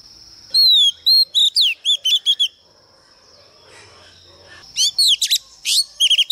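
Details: Female magpie-robin of the Oriental species, used to provoke males, delivers fast whistled phrases of swooping and sharply rising notes. A silent gap follows, then a denser burst of quick chirps and whistles.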